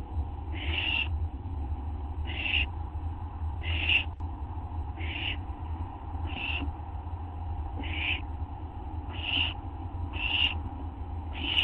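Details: On the night of August 24, 2011, at 11:04 PM, owls from a bolder-growing group give a long run of nine short, hoarse, hissing screeches about every 1.3 seconds, with a steady low hum underneath.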